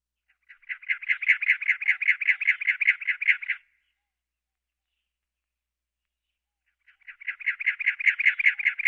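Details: Cactus wren (Campylorhynchus brunneicapillus) giving a harsh, rasping chug-chug-chug run of about fifteen rapid notes over three seconds, repeated after a pause.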